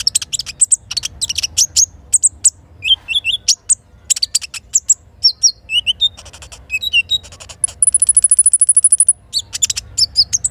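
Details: Morning little spiderhunter song with kinin filler, river and forest sounds present. Dense high chips and lower whistled notes lead into a long, even, rapid high trill, then more scattered chips.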